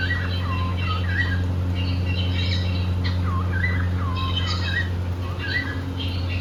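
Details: Cockatiels kept as a pet couple, happy and playing, chatter in fast dipping chirps, several each second in bursts, with a constant low drone behind them.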